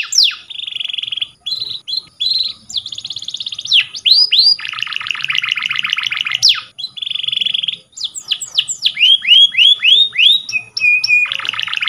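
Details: Canary song meant for training: buzzy rolling tours, sharp downward whistles and rapid trills in shifting phrases, with a faint steady high tone in the background.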